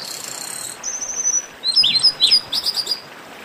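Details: Chestnut-capped blackbirds in a short baderna excerpt for warming up singing birds: a thin high trill, then a quick string of bright chirps and slurred whistles from more than one bird.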